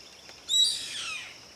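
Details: Yellow-headed Caracara (Milvago chimachima) gives one harsh, hoarse scream that starts abruptly, then slides downward and fades over about a second against faint background hiss.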